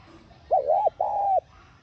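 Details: Spotted dove giving a lure call to make decoy birds coo: a bumpy double-peaked coo followed by a longer flat, mellow coo, with quiet low background.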